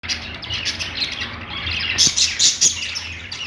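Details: Pet budgerigars singing on a perch: dense, rapid high chirps and warbled twitters, brightest in short bursts near the middle, over a steady low background hum.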